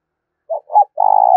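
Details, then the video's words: Spotted dove using 'gáy thúc' and 'gáy gọi' calls for training decoy birds. A short coo and a quick doubled coo lead into a long, vibrating, even-pitched croon. Clean, quiet recording. "tiếng chim cu gáy thúc và gáy gọi"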